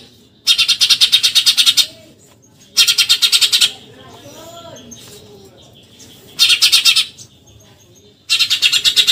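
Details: Eurasian tree sparrow, called burung gereja, giving a rapid tembakan nyerecet: four bursts of fast, harsh, high chirps, each about a second long, separated by quieter gaps with faint low murmuring.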